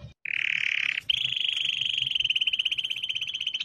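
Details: Canary producing a dense buzzy rolling trill, briefly broken, then resuming as a long steady trill with pulses becoming more distinct toward the end.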